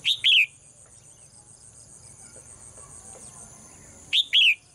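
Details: Female cage bird singing in the morning: two double chirps, high and crisp, about four seconds apart against a soft background hum.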